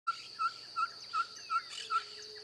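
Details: Ferruginous pygmy owl singing: six short, clear hoots on one even pitch, spaced evenly at about two and a half per second, over a steady high insect buzz.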